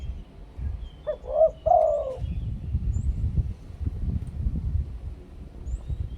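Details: Thai spotted dove giving one soft cooing phrase in the two-kuk ku-ang decoy style, a short note and a longer rolling coo, partly masked by a steady low rumble.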